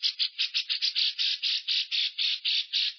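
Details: Long-breath lovebird ngekek to draw other lovebirds into song: continuous grating rattle of buzzy pulses, somewhat uneven, roughly four per second.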